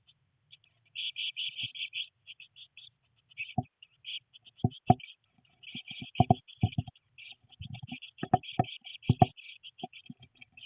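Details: Nineteen-day-old Eurasian blue tit nestlings, three in a nest box, rainy day with first flight attempts; high, thin chirping series interrupted by loud knocking and thumping sounds of movement inside the box.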